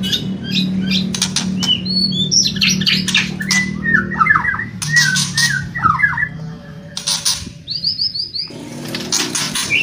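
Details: White-rumped shama song mixing kretekan and whistling: short whistled notes and quick slurred phrases near mid-high pitch, broken by harsh crackling bursts, with a low steady hum underneath.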